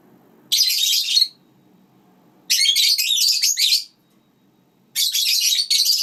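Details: Pet lineolated parakeets, adults together with their chicks, give three bursts of rapid, harsh, high-pitched chattering chirps, each lasting about a second, with quiet pauses of one to one and a half seconds between bursts.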